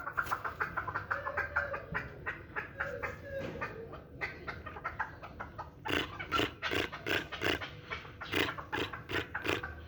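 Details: Hybrid chukar partridge, a one-year-old fighting and hunting bird, calling in quick repeated chuk notes. A lower wavering sound joins early on, then loud, evenly paced clucks dominate the second half.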